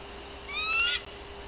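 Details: A single high, strained whistle rising in pitch, lasting about half a second, from a vigilant female bald eagle calling at her Tennessee nest on a livecam, 14 April 2023, with a soft hum underneath.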